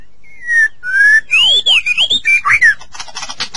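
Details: White-rumped shama singing, used to prompt caged shamas into song: a long falling whistle, a rising one, then swooping arched notes sliding high and low, ending in a burst of scratchy high chatter.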